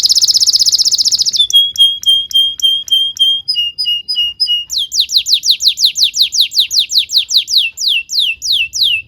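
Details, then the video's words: Vigorous canary song recorded to teach young canaries: a very rapid high trill, then spaced thin piping notes, followed by a series of loud, downward-sliding whistles repeated about four times a second. "PANCINGAN KENARI GACOR DURASI PANJANG UNTUK MASTERAN KENARI PAUD BELAJAR BUNYI DAN GACOR"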